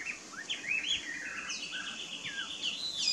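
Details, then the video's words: Taiwan hwamei giving a varied run of clear whistled notes, some rising, some gliding and falling, with a sustained high tone and faint background noise. "Burung Hwamei Taiwan"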